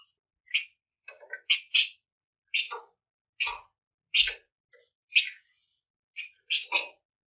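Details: Lively flamboyan singing intended to trigger song in other birds, with quick paired chirps and buzzy notes repeated in close succession over several seconds, fairly quiet overall.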